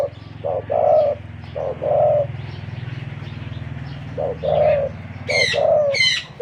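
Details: Spotted dove used as a decoy, a wild-caught bird with a big voice, cooing in a run of short and longer deep hollow notes spaced irregularly, with a low constant hum underneath and a brief higher chirp near the end.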